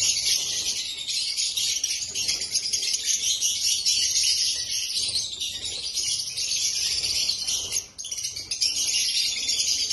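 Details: Continuous shrill twittering from a group of black-masked lovebirds, many birds calling at once in a steady high chatter with a short dip near eight seconds.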